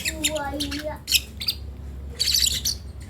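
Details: Baby lovebird trying out its first sounds: a few grating squawk bursts separated by pauses, while soft voice-like tones are heard at the start.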